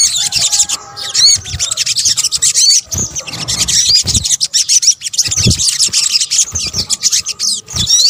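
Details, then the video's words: Sogok ontong, an Indonesian name for the sunbird, heard in a lure recording of mixed calls. Continuous shrill, scratchy twitters fill the clip, with occasional thin looping whistles and faint low thumps beneath. "PANCINGAN SOGON BUNYI AMPUH | kombinasi suara sogok ontong"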